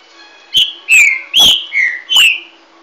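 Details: Green-winged saltator, a 'garganta de ouro' type, singing a phrase of five loud whistled notes: slurred, falling and rising, quick and evenly spaced, the fourth note lower, with a faint steady hum beneath.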